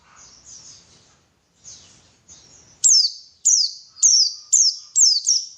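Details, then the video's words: White-eye song used to prompt a bird into singing: faint high thin notes at first, then six loud sharp descending chirps in quick succession, each sliding down from very high. "PANCINGAN BURUNG PLECI SUPAYA GACOR"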